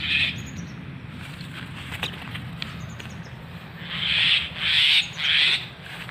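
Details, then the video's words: A common myna gives one harsh, grating note, then three loud raspy squawks in quick succession, over a low background rumble. "Shalike Pakhi Myna Bird Moina Xaliki Sounds"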